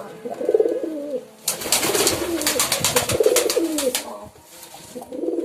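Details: Pigeon coos, low and throaty with a rolling wobble, open and close the passage, while a long stretch of loud clattering, flapping-like noise fills the middle.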